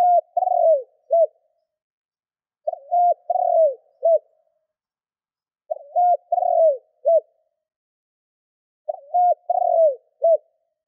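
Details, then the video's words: Spotted dove decoy cooing to provoke wild doves: four evenly spaced phrases of soft, hollow coos, each a quick hoot, a trembling falling coo and a clipped closing note, in an otherwise silent background. "Tiếng cu gáy mồi thúc gù kích bổi Hiệu quả"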